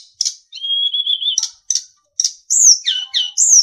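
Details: Sulingan song from a master recording used to train captive songbirds: short bright chirps, then a long steady whistle with slight wavering, followed by buzzy notes and high descending whistled phrases.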